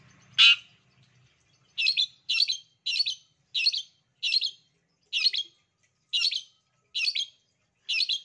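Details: Long-tailed shrike master song meant to make lazy shrikes answer: one loud harsh burst, a pause, then a string of rasping, scratchy notes delivered roughly twice per second.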